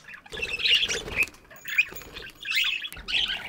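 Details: Morning aviary of chirping budgies: overlapping harsh chatter and squawks in several bursts, with a faint steady whistle-like tone and some low rustling underneath.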